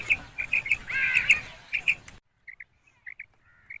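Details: A female common quail, whose call is used as a lure for catching quail, gives short, high, clipped notes in pairs and triplets, about two per second, over a hissy background that cuts off midway.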